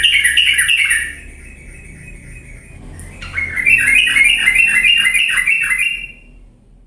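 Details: Yellow-vented bulbul singing fiercely, used as a lure for lazy birds: a short burst of scratchy chatter, a pause, then about three seconds of loud, rhythmic, harsh repeated notes before fading to faint background noise.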